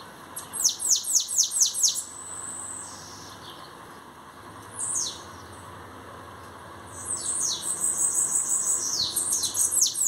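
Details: Bananaquit kept for singing contests, just arrived: a quick burst of sharp, high descending notes, a pause with a lone sliding note, then a dense, buzzy, tumbling run of very high notes to finish.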